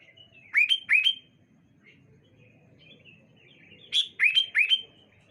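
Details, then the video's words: Sooty-headed bulbul singing on a bright morning with calls going back and forth. Two clusters of three quick, bright whistled notes, each sweeping upward, are separated by a quiet pause of about three seconds. "Suara Burung Kutilang Saut Sautan"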